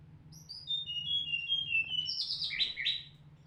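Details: Mountain flycatcher song used to provoke and excite other birds: a run of clear whistled notes, each stepping lower in pitch, followed by quicker, buzzy, higher warbled phrases over a low, steady hum.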